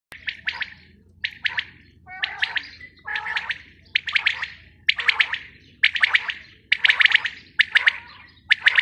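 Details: Female quail giving a harsh, buzzy burst call about once a second, each burst a cluster of rapid notes. A steady low hum runs underneath.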